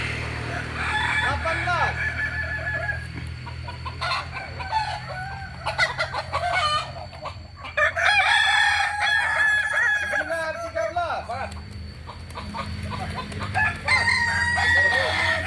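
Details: Kokok Balenggek chickens, an original Solok breed from West Sumatra, crowing in long overlapping runs of stacked, wavering notes, with several birds calling at once against a steady low hum.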